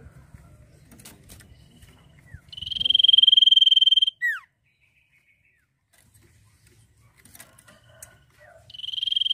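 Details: Sirtu in full song: a low rumble and scattered clicks give way to a sustained, fast-pulsed high trill lasting about one and a half seconds, closed by a quick falling note. After a pause a second trill begins.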